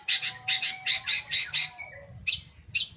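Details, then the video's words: Long-tailed shrike in vigorous song, said to sing day and night: a fast run of seven scratchy chirps in about one and a half seconds, then a brief thin whistle and two final sharp notes. "Penten gacorr siang malam!!"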